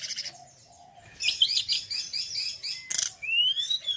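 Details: Male mountain forktail (tledekan gunung) singing a long buzzy, chattering run of high notes, then a sharp burst and a long, rising, drawn-out whistle.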